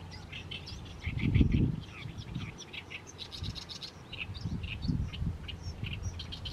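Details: Oriental reed warbler in a fallow paddy in mid-May, singing on in the setting sun: scratchy, rasping notes in quick uneven runs, with several deep thumping gusts of wind or handling noise underneath.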